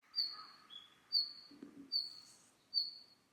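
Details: Red-flanked bluetail giving thin, high whistled notes, each a short flat tone, repeated about once a second, with one lower note between them and a faint low thud midway.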